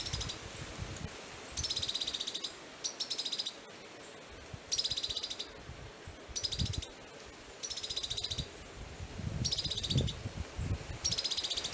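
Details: Southern bristle-tyrant, Prados, Minas Gerais, Brazil, 1 June 2018: repeated bursts of high, fast trilled notes, each about half a second long, coming roughly every one to two seconds, with occasional low thumps and rustling underneath.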